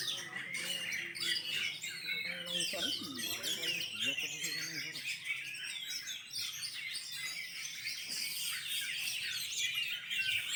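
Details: Oriental magpie-robin singing at a songbird singing competition held during the pandemic; dense, fast, high-pitched chattering and whistled phrases fill the clip, with several birds overlapping and people talking in the background.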